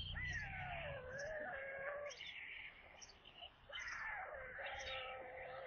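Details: White storks feeding at their nest in Kaluga region, Russia, on the evening of 22 July 2022, when a corncrake was brought in. Loud quavering whining calls come in bursts with a short quiet gap, over low rumble and regular high ticks.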